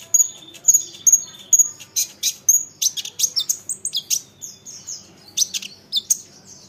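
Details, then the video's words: Olive-backed sunbird song, played to provoke other sunbirds to answer: high thin whistled notes repeating roughly twice a second, then a lively run of sharp chirps, quick downslurred trills and stuttering bursts, with a quiet background. "Isian Kolibri Ninja, Dengar ini konin lain pasti nyahut gacor doooorrrr"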